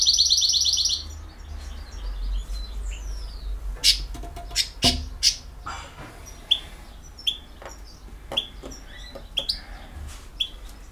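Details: European goldfinch of the Bosnian type in the field-song style: a high rapid trill opens the phrase, followed by scattered sharp chirps and clicks at irregular intervals, some loud percussive knocks in between.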